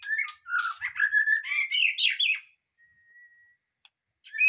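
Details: White-rumped shama just taken from a breeding cage, singing: a loud, rich run of varied whistles, chirps and rapid trills for about two and a half seconds, then a thin steady whistled tone and a short final phrase.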